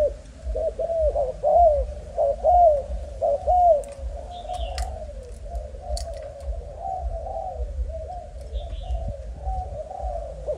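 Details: Spotted dove of Malaysian stock, a young bird, with clear arched coos for the first four seconds that then fade into a blurred, softer murmur of cooing, with a couple of faint high chirps.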